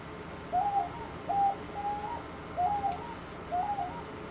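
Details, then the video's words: A captive pair of diamond doves indoors gives five soft, mellow, slightly wavering coos, each about half a second long and roughly a second apart, over a low indoor hum, with more diamond doves in another room. "You can hear my doves. Those are diamond doves."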